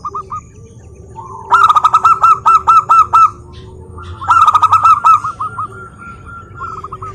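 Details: Zebra dove of local wild stock singing, used as a lure for other doves: two loud bursts of evenly repeated short coo notes, about eight each, framed by softer trilling coos and a low background hum.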